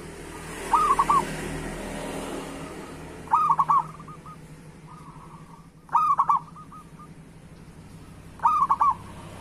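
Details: A zebra dove of the local type sings as a lure for other doves. Four loud, clipped phrases of quick bubbling coos come every two to three seconds, joined by soft trailing notes. Brief background hiss at the start.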